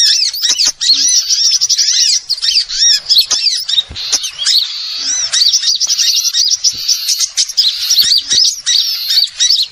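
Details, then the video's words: Small birds calling, used as a lure sound for trapping birds: a dense, busy chorus of high, sharp chirps and twittering notes, many overlapping rapid trills with no pauses. "suara Pikat burung Kecil super tajem"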